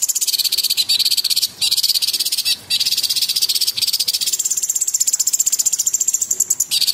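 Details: Small cucak cungkok bird in full gacor song with sharp, rapid tembakan bursts: dense, high buzzy rattles that shift between two pitch levels, broken by brief pauses.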